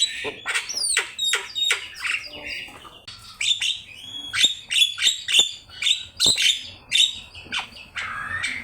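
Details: Javan myna in full, active song, recorded as a master track for teaching other birds to sing: quick sharp whistles and clipped notes around a steady high tone, with short harsh bursts repeated about every half second.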